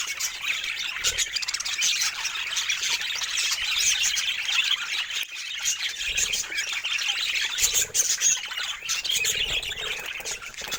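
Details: Pet budgerigars of assorted colour mutations chattering together: a continuous wash of high, raspy squawks and twitters from several birds at once, steady in loudness throughout.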